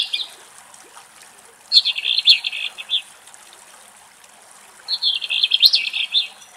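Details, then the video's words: Eastern black-eared wheatear (Oenanthe hispanica) singing in Greece: short, scratchy, twittering, high buzzy phrases of about a second each, separated by pauses. "Ασπροκωλίνα Κελάηδημα - Eastern black-eared wheatear song"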